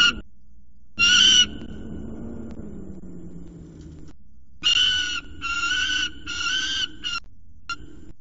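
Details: Young male peregrine falcon at CSU Orange, screaming at his mother after she leaves the scrape. Loud raspy screeches in separated bursts, a long quiet gap, then a run of four or five harsh wails.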